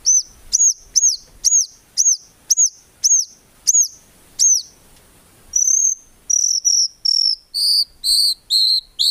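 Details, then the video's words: White-rumped shama song used for training songbirds: a string of sharp down-slurred chips about every half second, then a brief pause and a series of rich buzzy notes, in a clean recording. "MURAI BATU GACOR FULL ISIAN TEMBAKAN MEWAH GAK ADA NGUKLUK NYA"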